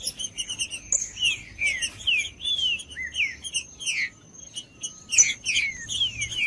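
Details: Green-winged saltator song, used to warm up other saltators and train chicks: repeated clear whistled phrases, each sliding downward, delivered in quick succession with brief pauses and high thin ticks behind.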